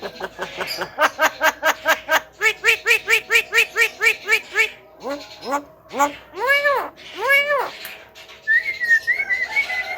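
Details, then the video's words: Mimicking Javan myna, a bird that imitates sounds it hears such as frogs, ducks and coughing: a fast train of short pulsed notes, then several loud arched nasal calls and a high wavering whistle at the end. "JALAK KEBO PANDAI MENIRUKAN SUARA,KATAK,BEBEK,SALAM,BATUK,ES KRIM,HALO CEWEK"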